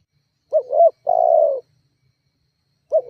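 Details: Single spotted dove phrase used to goad rivals and lure doves into calling: two brief upswept coos, then a smooth, drawn-out coo sliding down in pitch, followed by silence and the first note of another phrase.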